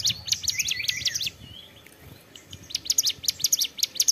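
A prinia sings rapid bursts of sharp, high chipping notes, with a brief pause before a second fast, insistent run.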